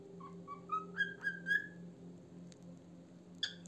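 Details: Pet cockatiel uttering a short rising series of soft whistled notes, climbing in pitch over about six notes, then a few faint clicks against a steady background hum.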